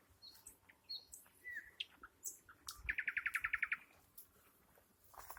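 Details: Singing nightingale delivering short high whistles and a rising note, then a rapid burst of around ten evenly spaced loud repeated notes, with softer scattered chirps and faint background noise around them.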